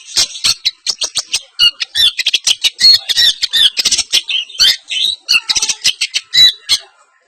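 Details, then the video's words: East Javanese semi-blangkon long-tailed shrike in champion style, pouring out its mimicked filler material as a dense, rapid run of harsh, scratchy high notes with hardly a pause, ending abruptly. "pentet semi blangkon- bongkar isian -gaya juara - pentet jawa timuran"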